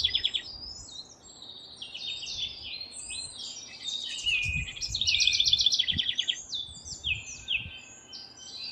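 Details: Nest-building house wren in full song, rapid rattling trills and short whistled slurs running together without pause, loudest around the middle, over a constant low hum and a few soft thuds.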